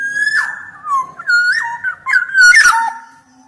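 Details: Black-naped oriole in full 'gacor' song: a run of rich, fluty whistles that rise, fall and warble in quick succession, with a short rasping burst near the end over a faint low hum.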